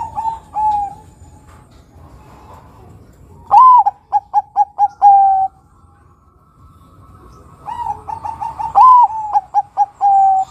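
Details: Zebra dove song of the Bangkok perkutut kind, used as a lure for other doves: repeated phrases of a rising opening coo, a quick string of short notes and a held final coo, spaced several seconds apart.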